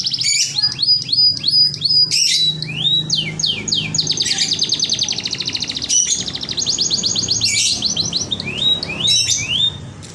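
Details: Local canary, kenari lokal, in merlok song style: fast, loud, high-pitched song of rapid sweeping notes, dense buzzy trills and rattling repeated phrases running without pause for ten seconds, with faint low hum beneath.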